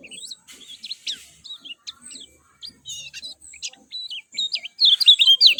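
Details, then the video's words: Lemon-bellied white-eye song from a masteran training recording meant to make birds respond quickly: a rapid run of high, thin chirps and short twisting whistles, several notes each second, growing louder and denser toward the end. "SUARA JERNIH ALAMI BIKIN KECIAL KUNING CEPAT RESPON"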